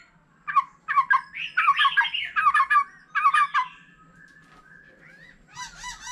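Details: A wild-matured white-rumped shama sings varied phrases with a laughingthrush nearby: bursts of harsh chattering notes in clusters, a quiet pause, then soft looping notes at the end.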